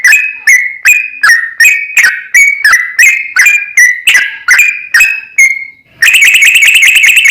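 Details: A 'gacor' yellow-vented bulbul (trucukan) sings to provoke other birds into singing: about a dozen short, bubbly whistled phrases roughly every half second, then a brief gap and a harsh, rapid, buzzy chatter at the end.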